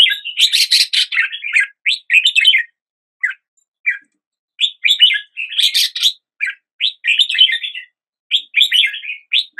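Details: Red-whiskered bulbul song: bursts of lively warbled, chirping notes in quick phrases, with short pauses between phrases and a quieter gap near the middle; no other sounds.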